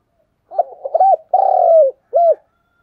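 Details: Decoy spotted dove giving a strong thúc gù coo: a rough, broken opening, then a long, hoarse, slightly falling coo and a brief rounded final note, all low-pitched and loud, with silence around.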